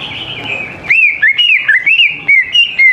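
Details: Greater green leafbird singing a lure song meant to prompt young birds to sing. After a short quiet start, clear whistled notes slur up and down in a quick, uneven run of about eight phrases.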